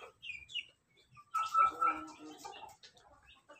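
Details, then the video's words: Laughing chicken (ayam ketawa) crowing loudly: a few short chirpy notes, then a strong rippling harmonic phrase held for about a second with quick stutters, fading into softer trailing notes. "ayam ketawa berkokok lantang"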